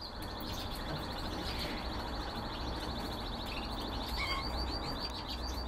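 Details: Canaries kept for breeding; a rapid rolling trill of evenly repeated high notes runs almost unbroken through the clip over a steady low hum and background noise.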